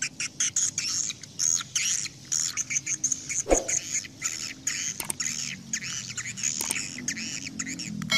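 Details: Swiftlets giving lure calls meant to draw the flock home to a swiftlet house: a dense, continuous chorus of high, thin, buzzy twitters and chirps, overlapping and rapidly repeated, with a faint low hum beneath.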